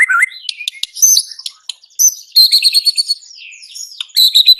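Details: Varied song of a white-rumped shama: a rising whistle opening into scratchy high chips and buzzes, then a sustained shimmering trill, a smooth swooping whistle, and another trill.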